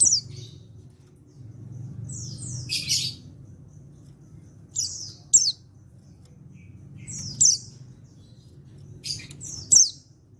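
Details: Male white-eye, untrained, from Pacitan, calling to trigger replies from other white-eyes. Thin high descending chirps in loose pairs recur every two seconds or so, with a low hum throughout.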